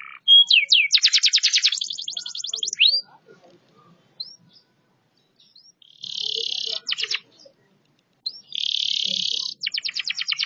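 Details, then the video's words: Canary of the banashi sort singing and moving: loud rapid rolling trills and buzzy bursts separated by pauses of a second or more, with a few short whistled notes between the phrases. "كناري بناشي صوته رررهيب"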